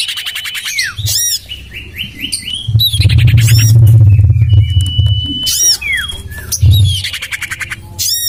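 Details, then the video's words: Common iora lure call, tested in a garden beside a house: bursts of high, bright chirps and arched notes, quick downslurred whistles and short rapid trills repeating every second or two, over a steady low rumbling hum. "Suara pikat burung sirtu cipoh terampuh sepanjang masa"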